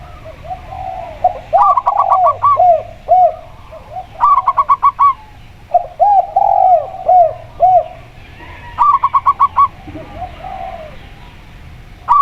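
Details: Lure recording pairing a local zebra dove with a spotted dove. Fast volleys of short staccato notes lead into soft, bouncing coos, and the pattern recurs roughly every two to three seconds.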